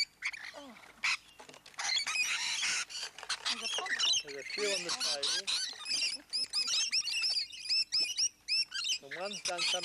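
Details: Rainbow lorikeets crowding visitors at Lane Cove National Park, a flock of hundreds, some on people and the table: a loud continuous wash of shrill screeches and rapid chattering, with brief human speech.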